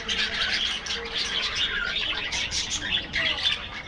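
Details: Budgerigars feeding in an aviary in the afternoon, a flock giving continuous overlapping chirps and warbling chatter, busy and high-pitched throughout with no pauses.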